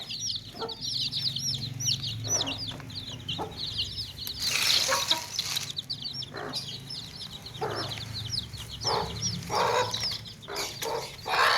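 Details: A crowd of baby chicks in a tokri, a woven basket, peeping continuously in high looping whistles for over ten seconds, with occasional broad noisy bursts, short clucks and a low background drone.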